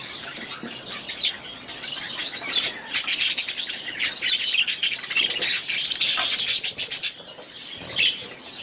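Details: Budgerigars in their aviary chattering busily: rapid, high, chirpy notes and short squeaks packed closely together, rising to a lively burst in the middle before easing off.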